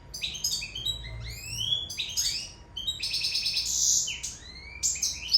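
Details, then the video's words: European goldfinch from Sicily singing in love: a lively medley of rising whistled slurs, sharp chips and dense buzzing trills, delivered in quick phrases with brief gaps between them. "Favoloso canto cardellino siciliano in amore"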